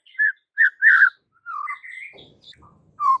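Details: White-rumped shama song recorded as training material for caged birds: separate clear whistled notes, then a longer sliding whistle and scattered soft notes with a faint low rumble.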